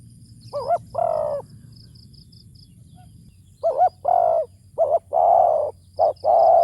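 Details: Ground decoy spotted dove with a deep ku ang kham style calling. It gives a wavering note and a long coo, pauses about two seconds, then a run of short and long low coos. A light high ticking is also heard.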